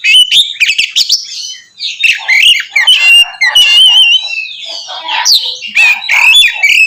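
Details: Oriental magpie-robin in loud, full song meant to provoke other magpie-robins; dense run of varied whistles, harsh notes and rapid chattering phrases, mostly high-pitched, with brief pauses.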